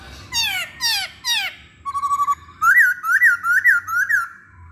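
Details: Masked laughingthrush singing as a lure for others of its kind: three sharp downslurred squeals, a quick stuttering burst, then four clear rising-and-falling whistles in an even series, in a quiet indoor setting.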